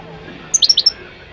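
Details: Moroccan goldfinch song fragment, a single quick phrase of five high, sharp chirps rattled off in under half a second against faint background noise.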